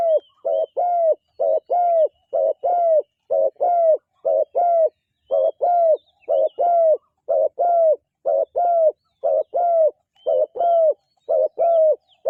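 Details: Steady cooing of a dove: a long run of paired hollow, arched notes, about one pair per second, evenly paced and loud against a quiet background.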